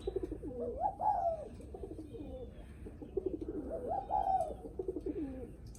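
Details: Spotted dove guest-greeting coos, said to greet visitors arriving home: soft overlapping crooning phrases, two clearer rising-falling coos separated by about three seconds, with murmuring lower notes between them and a faint hiss.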